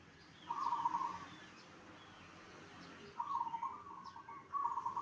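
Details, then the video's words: Zebra dove singing to draw replies from other zebra doves, giving three purring, trilled coos of steady pitch separated by pauses of about two seconds, with quiet background noise. "perkutut apa saja pasti nyaut dengar suara ini"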